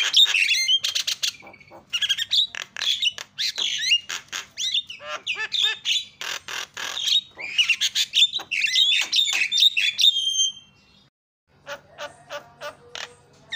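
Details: Long, rambling jalak starling song meant to set quiet birds chattering: rapid harsh chatter, clicks, squeaks and whistled slurs run together almost nonstop, a short silence, then evenly spaced sharp clicking notes.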